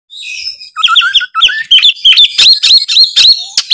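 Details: White-rumped shama singing strongly: opening whistles, then fast rich phrases of sharp clicks and bright whistled notes repeated roughly every quarter second, mixing high and mid tones.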